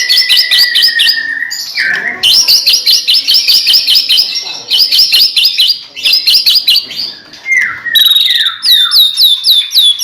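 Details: White-rumped shama in full song for prompting other shamas, loud rapid rattling trills of repeated high notes, a sustained whistle, then descending slurred whistles and bouncing upswept notes.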